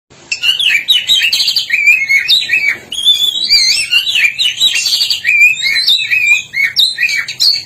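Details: Black-breasted oriental magpie-robin from East Java singing vigorously: a continuous, rich medley of fast whistled and warbled phrases, jumping quickly up and down in pitch without a break.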